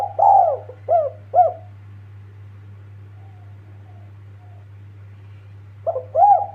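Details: Spotted dove calling to companions: a burst of three soft, rounded coos with a rising-falling shape, then a pause and a further pair of coos near the end, over a steady low electrical hum.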